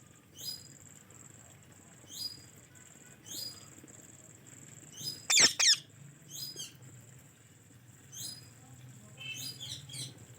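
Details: White Indian ringneck parakeet giving short high chirps with quick downward sweeps every second or so, one loud harsh double squawk near the middle, a steady high whine and low hum underneath.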